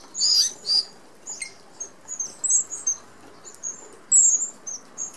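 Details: Red-browed finches, an Australian native, feeding as a flock at an open aviary feeder with 25 mm mesh that keeps out sparrows and larger birds; thin, very high seee notes in short bursts, with soft patter and wing flutters beneath.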